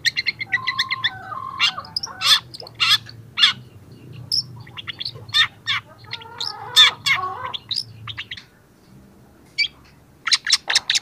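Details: Young long-tailed shrike singing energetically, starting to bring out mimicked phrases; rapid bursts of sharp high chips and whistled notes in varied quick phrases, a brief pause near the end, then another flurry of notes.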